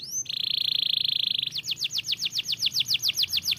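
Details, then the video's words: Canary song opening with a short whistle, then a long steady buzzy trill lasting over a second, followed by rapid repeated upswept notes about three and a half per second; other canaries hear and react. "Other canaries immediately heard the sound of this canary"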